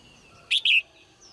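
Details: Female bird in a cage singing cheerfully at dawn: a single loud, high double chirp, two closely joined bright notes, the second a little longer, with a faint thin whistle afterward.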